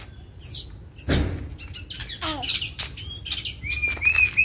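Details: White-rumped shama, fighting and provoked into emotional, nonstop singing: scattered high chirps and slurred notes, a loud dull thump near the start, then a thin rising whistle at the end.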